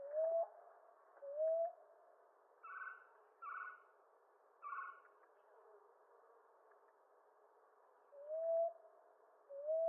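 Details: Common ground dove of eastern North America repeating soft rising coos at irregular intervals, with three short, higher, hoarse notes from another caller in the middle of the sequence.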